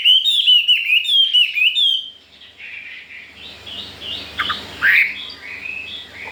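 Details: Newly arrived caged Chinese hwamei, four days in and eager to breed, sings loud whistled phrases around two seconds long that rise and fall in quick slurred notes, then turns quieter with scattered chirps and faint background noise.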